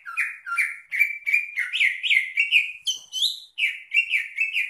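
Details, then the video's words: Continuous song of a greater green leafbird (cucak ijo): a steady run of slurred, down-swept whistles, one brief higher, sharper phrase in the middle. "kicau CUCAK IJO ini"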